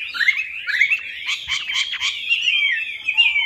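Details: Hwamei lure song for a silent bird: a dense, rich warble of rising and falling whistled notes with a few harsher rasping bursts in the middle, running without pause.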